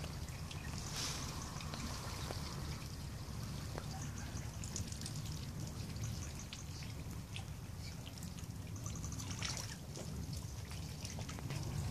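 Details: Trickling, dribbling water over a low steady rumble, with no clear animal calls.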